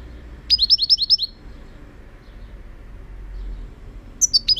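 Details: European goldfinch in a 2018 recording pours out a fast, even string of about seven bright, upward-flicking twitters, falls quiet for nearly three seconds, then starts another rapid twittering run.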